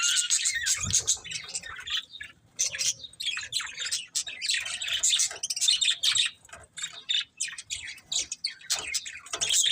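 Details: Budgerigars keep up a dense chattering warble, scratchy chirps and squeaky notes overlapping with hardly a break.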